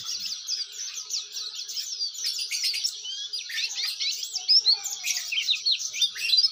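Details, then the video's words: Continuous ngeriwik song of an Oriental white-eye used as a tutor recording for other white-eyes: a fast, high-pitched jumble of chirps and slurred whistles, with louder sharp notes near the end. "pleci gacor ngeriwik syahduuu"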